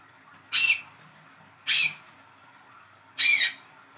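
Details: Hand-raised young olive-backed sunbird calling, kept to coax a silent caged bird into song: three short, harsh high notes spaced about one and a half seconds apart against a quiet background.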